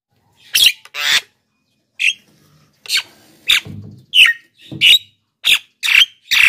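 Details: Black-winged myna (jalak kebo) in loud, active song, used to lure wild birds and train lazy singers: about eleven harsh, screechy bursts over six seconds, irregularly spaced, some with squeaky whistled tones.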